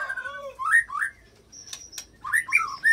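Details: White-rumped shama performing imitated cililin and canary filler to stir other fighter shamas into singing: rich, full whistles sliding up and down, short bursts separated by brief pauses, with a thin high note between phrases.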